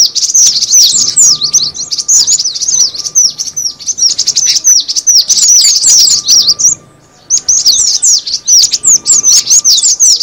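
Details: Cinereous tit lure call: a dense, unbroken stream of high, thin chirps, each sweeping sharply downward, about two and a half per second, with a short gap near the end and a faint steady hum beneath.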